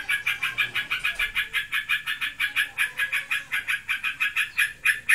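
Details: Caged bulbul in breeding condition or in full song, its keeper unsure which, performing the rapid continuous 'ngebren' chatter: harsh pulsed notes at about five per second, steady and unbroken for the whole stretch, indoors.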